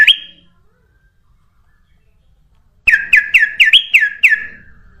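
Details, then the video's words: Sooty-headed bulbul singing as a lure for other birds: a brief opening note, a pause, then a lively run of about seven bright, looping, chirpy notes in quick succession. "SUARA BURUNG KUTILANG EMAS UNTUK PANCINGAN DAN SUARA PIKAT"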